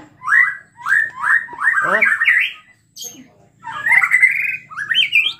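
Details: White-rumped shama, a gacor (frequently singing) bird whose emotional song is played to provoke other shamas into singing; rich whistled phrases with slurred notes and rapid rising trills, broken by a brief pause.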